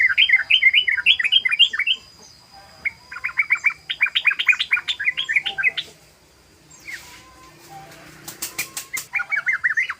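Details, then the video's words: Yellow-vented bulbul (trucukan) in "ropel" style, used as a lure. Long runs of quick, bubbly, repeated notes with a steady rhythm, broken by brief pauses, over a faint background hiss and a few sharp clicks. "SUARA BURUNG TRUCUKAN ROPEL❗❗❗BURUNG TRUCUKAN NGEROPEL"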